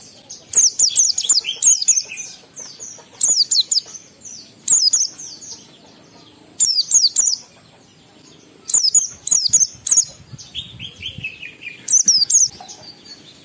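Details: Oriental white-eye singing energetically in ngalas style to stir emotion and breeding urge in other white-eyes: clustered phrases of sharp, high, slurred twitters, each burst about a second long, separated by pauses, with occasional softer descending trills.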